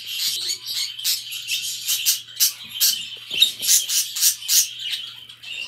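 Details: Budgerigars kept as pets give a harsh, scratchy warble of buzzy high bursts, repeated at an uneven pace of about one a second, with a few faint lower clicks and a steady low hum behind.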